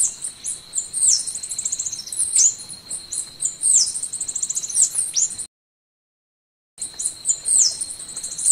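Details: Golden-winged sparrow singing: a quick run of very high, thin, downslurred notes repeated in clusters, over a steady high-pitched insect-like whine, with a short silent gap before the song resumes.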